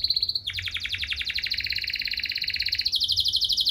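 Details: Canary pouring out a long trilled song meant to get other canaries singing: a brief high whistle, then a continuous fast rattling trill with a shift to a higher, brighter trill near the end.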